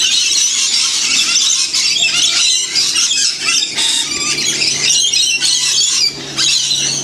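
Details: Wild lorikeets in a huge flock taking a free winter feed in the Blue Mountains, Australia; loud overlapping squeals and squawks, shrill and raspy, with brief dips in the din and a faint low hum beneath.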